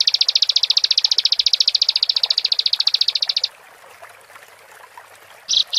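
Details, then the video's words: Bar-winged prinia delivering a fast, high, rattling trill of repeated chips for three and a half seconds, a pause, then two brief sharp bursts. "Pendongkrak Emosi Ciblek | Ciblek Gacor"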